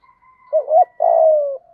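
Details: Single spotted dove phrase for stimulating a newly caught bird: a quick wavering two-part coo, then a drawn-out coo sliding gently downward, over a faint steady higher tone.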